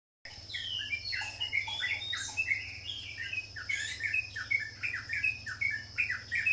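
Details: Sooty-headed bulbul singing a fast run of short chirpy notes, each sliding down or up, bunched in quick bursts with a steady high whine and low hum behind.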